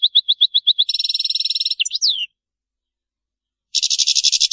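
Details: European goldfinch in the Maliki song style, described as error-free: about seven evenly spaced chirps, a dense buzzy trill, a twisting slurred whistle, a silent gap, then a rapid harsh rattle.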